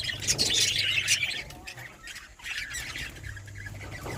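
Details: Budgerigar giving harsh, scratchy squawks and chatter, loudest in the first second and a half, then softer grating calls, with a steady low hum underneath.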